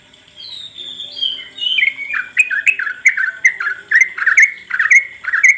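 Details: Sooty-headed bulbul lure song for making birds sing, in rapid ngropel style: soft descending whistles open, then a quick run of bright, slurred chirpy notes, rising then falling, about two per second, with a faint steady hiss behind.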